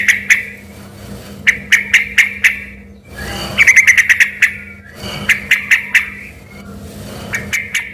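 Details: Sooty-headed bulbul in lively song that people mistook for an oriental magpie-robin, giving spaced groups of three to five crisp, ringing notes, one rapid stuttered run in the middle, and a low hum underneath.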